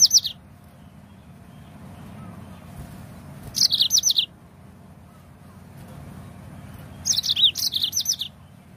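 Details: Yellow-fronted canary song played as a lure to get other birds singing: two bursts of quick, high chirped notes, each sliding downward, separated by a few seconds of quiet with a low background hum.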